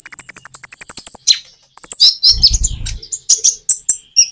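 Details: Common iora song with natural gaps, used as a lure to get reluctant birds singing. It opens with a rapid high trill, then a pause, followed by varied chirps and slurred whistles over a brief low rumble.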